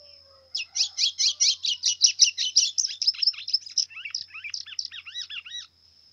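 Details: A brown white-throated seedeater sings a lot in the pressão song style. A rapid string of buzzy high chirps shifts into clearer whistled notes that drop and arch, lasting about five seconds, over a steady thin high tone.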